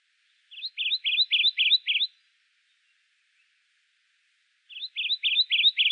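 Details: Kentucky Warbler, a common warbler of the eastern United States, gives two songs. Each is a rolling run of about seven identical rich two-part notes, evenly spaced and steady in pitch, with a quiet pause between songs.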